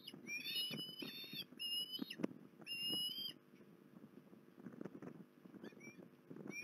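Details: Osprey calling at Port Lincoln, 21 December 2020: a quick series of piercing whistled chirps in the first three seconds, then near silence with faint crackling and a couple of soft notes at the end.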